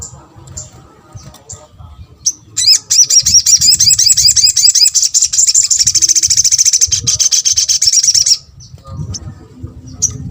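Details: Crimson sunbird (sogok ontong) calling to provoke other sunbirds to respond: a few sharp, high chips, then a fast, thin, high-pitched chattering trill of rapidly repeated notes for about six seconds, then sparse chips again over faint low background rumble.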